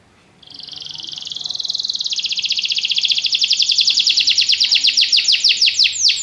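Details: Singing canary delivering a long rolling trill that starts as a steady buzz and speeds into loud, rapidly repeated high notes over about six seconds.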